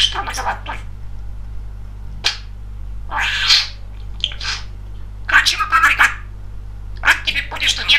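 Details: A talkative male pet budgerigar speaking, chattering in quick, raspy, speech-like bursts, a few phrases spread over several seconds, with a steady low hum behind it.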